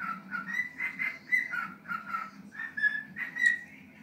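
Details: Year-and-a-half-old pet cockatiel, tiring after a long singing bout: softer, slower whistled notes that waver up and down in short linked phrases, with a faint background hum.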